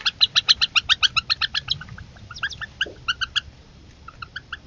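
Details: Northern harriers at dinner time as the young compete for the mother's delivered meal; a fast, evenly spaced series of harsh kek-like notes that slows and breaks into scattered, separate calls.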